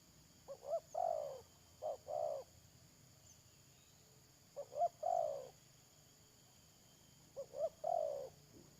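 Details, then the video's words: Spotted dove serving as a trapping decoy, 31 May 2022, repeats its coo three times about every three seconds: paired short hoots running into a longer drawn coo, mellow and low-pitched. "Pikat Tekukur"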